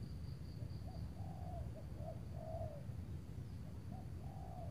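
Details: Spotted dove calling in overcast weather near Tangerang as a decoy draws a large target bird; quiet paired coos, a clipped note then a longer falling coo, repeated, with low droning noise throughout.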